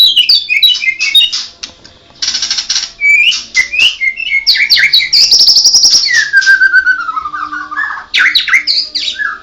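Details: White-rumped shama of the Medan type, called blorok, singing a rich, varied run of clear whistled notes that slide downward, broken by bursts of harsh buzzy rasps and quick chattering phrases.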